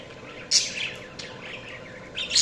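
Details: Budgie calls: a sudden bright squeak, a soft scratchy warble, then another sharp chirp at the end over a faint hum.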